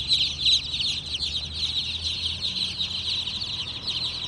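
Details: Baby chickens in a group give a dense, continuous chorus of high, thin peeps, overlapping rapid chirps with no pause, over a faint low hum.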